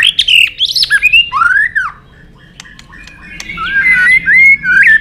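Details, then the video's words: White-rumped shama singing its fighting song, used to stir birds and train their voices: loud slurred whistles and a curving downward note, a second of near-quiet, then rising buzzy whistled phrases. "Luyện giọng chòe Lửa hót đấu"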